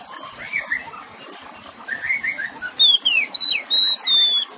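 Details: Kacer, the Oriental magpie-robin, singing over trickling water: soft low warbles first, then loud pure whistles, a falling slur and level held notes repeated about every half second.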